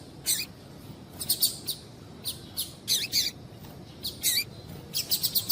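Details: A female double-collared seedeater gives calls to warm up males for singing: irregular high chirps in small clusters throughout, ending in a rapid string of four bright notes, with a faint hiss behind them.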